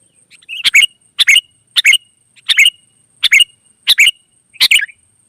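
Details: Wild sooty-headed bulbul answering: seven harsh, bubbly notes repeated at a steady pace of roughly one every two-thirds of a second, each with a buzzy edge; a thin electronic tone persists throughout.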